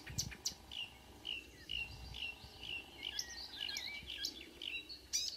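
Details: Early-morning Marsh warbler song in June at Kråkstad near Ski, Norway: a fast, restless stream of varied chirps, short whistles and rising slurs, with a few sharp high ticks and faint low rumble.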